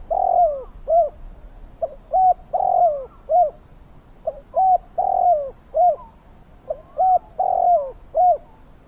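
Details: Spotted dove calling to lure wild doves: clear, low, mellow coo phrases, each a longer hooting note followed by shorter clipped coos, repeated in a steady rhythm roughly every two seconds over quiet background.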